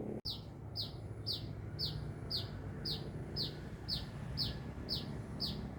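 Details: Lively sunbird song from Binjai: a brief click, then about eleven high, sharp downward chirps repeated at an even, unhurried rhythm over soft low background noise.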